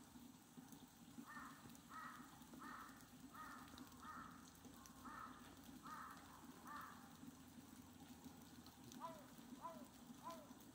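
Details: Steller's sea eagle recorded on 23 March 2022. About eight harsh, harmonic calls repeat roughly every 0.7 seconds, followed by three shorter downward-sliding notes, over a steady low hum.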